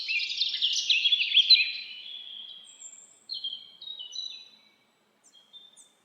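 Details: Bird song in a forest: a rapid twittering warble at first, then separate short whistled notes and thin high chirps trailing off into quiet.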